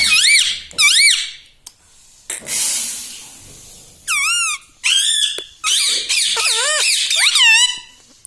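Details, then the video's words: Talking pet parrot indoors producing clear harmonic syllables with arched, wavy pitch contours, several short phrases in a row after a brief noisy hiss, in a quiet room. "Talking parrot || mitthu mitthu || tota || Bolne wala tota"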